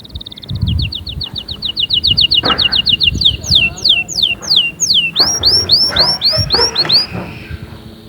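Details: Canary song to stimulate other canaries to sing: a fast rising run of repeated chips, then loud down-slurred whistles, then looping up-curved notes repeated quickly, with scattered low clicks and thumps in the background.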